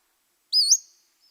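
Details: A Pacific-slope Flycatcher on the central coast of California gives a single high, sharply rising upslurred whistle, like someone hailing a cab, lasting about a third of a second against silence.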